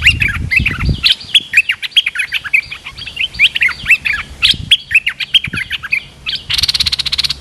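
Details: Streak-eared bulbul, a large territorial resident, replying to a lure with rapid bubbling chirps that run for several seconds, ending in a harsh buzzy rattle; low thumps at the start.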